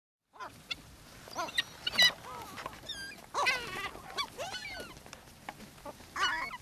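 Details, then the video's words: Gulls being fed on the beach at Brean Sands, Somerset, England, on a spring day in April; several harsh, downward-arching squealing calls overlap and come in bursts, with one long laughing series in the middle and surf noise underneath. "Seagulls Sea and Sand"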